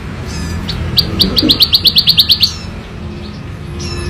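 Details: Plain prinia (ciblek sawah), wild, singing loud and clear in ngebren style: a burst of about ten rapid, evenly spaced high chips over roughly one and a half seconds, with faint low background rumble.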